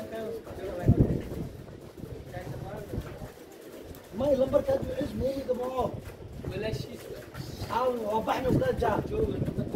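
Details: Pigeon cooing, a series of low burbling coos with wavering tones clustered after a pause, amid a steady crowded background murmur.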